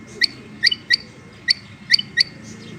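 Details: Calling female rain quail: brief, bright, clicky double notes with a ringing upper tone, spaced irregularly over a few seconds, with low background murmur.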